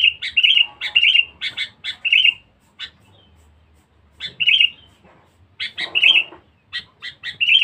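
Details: Sooty-headed bulbul, described as very chatty and fierce, used as a lure bird: bursts of short bright chattering notes ending in a rich warbled flourish, repeated in three groups separated by brief pauses.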